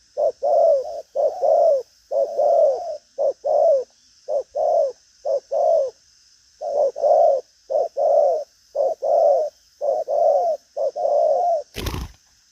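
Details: Spotted dove, described as a strong cooer with a lively, bustling style of driving coos, gives paired low hollow coos: a short note and then a longer, slightly falling one, repeated about once a second, with a sharp click near the end.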